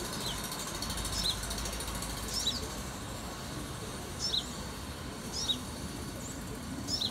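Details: Fat baby sunbird calling in 2018, giving short, high thin chirps in pairs, spaced roughly every one to two seconds over a steady low rumble like distant traffic.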